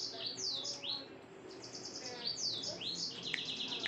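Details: Yellow-fronted canary song at night: high, downward-slurred whistled notes and short trills, repeated every second or so over a steady background hiss.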